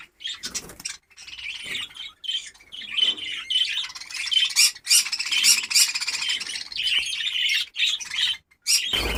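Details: Budgerigars from a fresh breeding colony in Darbhanga, Bihar, give an unbroken, buzzy, high warbling chatter from many birds, punctuated by sharper squawks every second or so.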